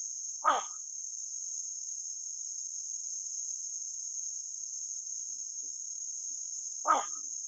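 A Pacific reef heron gives two short, harsh croaks about six seconds apart over a steady high-pitched insect trill.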